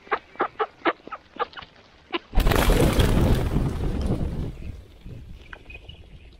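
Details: Mallard ducks at morning feeding: a quick run of short nasal quacks, roughly five per second, for about two seconds, then cut off by a sudden loud rushing, hissing burst that slowly fades, with a few faint quacks after.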